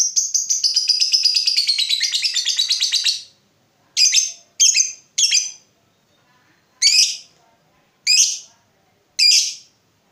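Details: Lovebird lure song meant to get other lovebirds singing: a three-second rapid high chattering trill, then six separate short harsh chirps spaced about a second apart.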